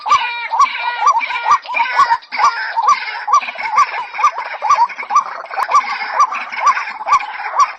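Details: White-breasted waterhen, female, calling the male with steady repeated throaty hoots around twice per second over a background of rough chattering calls.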